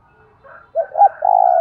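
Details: Decoy spotted dove calling to goad others into cooing and fighting: faint soft notes lead into a loud phrase of two short hoarse notes and a sustained, slightly falling coo.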